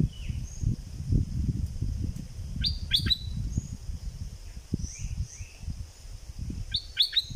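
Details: Double-style song of a southern Thailand bulbul: two clusters of crisp descending notes separated by softer thin calls, all above a persistent low background hum.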